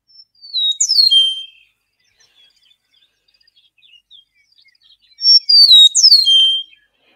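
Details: Eastern Meadowlark song, a grassland bird of the eastern United States: two clear, slurred whistled phrases about four seconds apart, each sliding down from high to lower pitch, with near silence between.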